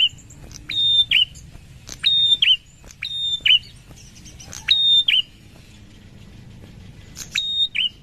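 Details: A wild prinia gives a high, flat whistle that ends in a short falling flick, preceded by a tick. The phrase comes about every second with uneven pauses, over faint low rumble.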